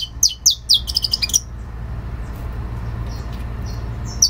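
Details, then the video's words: Canto fibra song of a saffron finch: a fast burst of sharp, descending, high chirps lasting just over a second, then faint whistles and one closing chirp against a low, steady hum. "CANÁRIO DA TERRA CANTO FIBRA"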